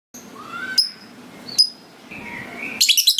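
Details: Lovebird giving ngetik calls that lead into long ngekek chatter, a sound said to draw other lovebirds into ngekek: sharp high chirps and thin slurred whistles, ending in a short burst of buzzy chatter.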